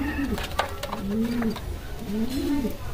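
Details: Two drawn-out, bowed coos from a Kalsara pigeon, each rising then dipping, low and resonant, with a few soft knocks in the background.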